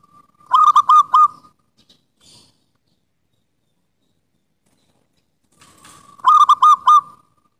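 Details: Lure song of a local wild zebra dove for doves that no longer sing: a rapid series of bubbling, trilled coos, then a long pause and a second matching phrase.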